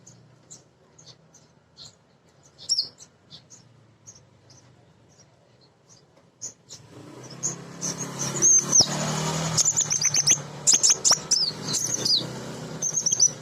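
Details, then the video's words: Female sunbird used as a lure for untrained birds starts with sparse, high, thin chips. A louder stream of squeaky twitters follows over rising background hiss and a low rumble. "Kolibri Ninja BETINA Ngriwik Nyrecet"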